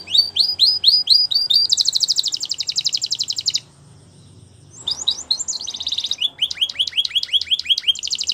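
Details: Belgian canary singing for training, a champion bird: rapid high trills shifting between separate sweeping notes and dense buzzy rolls, with a short silent gap near the middle.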